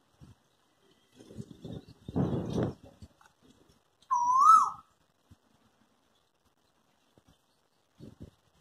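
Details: Cuckoo eating fruit up in a tree with a squirrel nearby: a single strong whistle that rises and then dips, preceded by rustling leaves and a few faint clicks.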